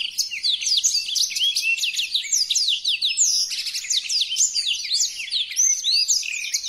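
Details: Tutor recording of blackthroat song: a non-stop cascade of high, sharply slurred notes and chattering twitters, lively and evenly loud throughout.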